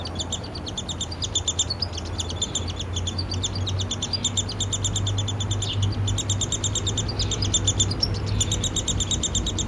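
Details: Downy woodpecker (Dryobates pubescens) nestling begging while fed by its father: continuous high, buzzy chatter of rapid chirps in bursts over a low hum; yard in Lethbridge, Alberta, Canada, 12 July 2026.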